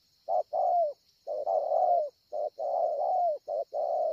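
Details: Spotted dove ('bổi ngực sẹo') cooing strongly at Ngọc Hồi on 25 March 2020: rapid, nearly continuous low coos, short notes leading into longer hoarse ones that dip at the end, with a high insect whine throughout.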